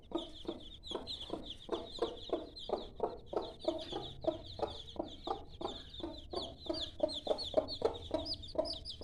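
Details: Hen with five-day-old chicks clucks in low, rapid, irregular bursts while the chicks give continuous high, thin peeps.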